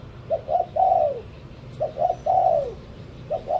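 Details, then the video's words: Spotted dove kept as a decoy bird, cooing in a repeated pattern: two short soft coos, then a long drawn-out coo that slides downward, the phrase recurring about every one and a half seconds over a low background hum. "เสียงนกต่อ นกเขาใหญ่"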